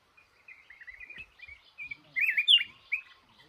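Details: Male red-whiskered bulbul caught in a trap in a cashew garden, starting with soft chattering notes that build into a loud, rich slurred whistle and a final short phrase.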